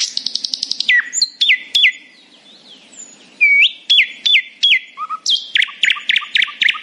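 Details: Morning song of a happy nightingale, opening with a quick run of repeated notes, then clear falling whistles spaced apart and ending in rapid repeated chirps.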